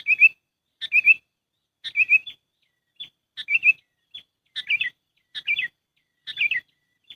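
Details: Sooty-headed bulbul lure call used for trapping: bright chirpy phrases of a few quick notes repeated roughly every second, each phrase a cluster of bubbly, slightly descending tones, with short single peeps between; clean background.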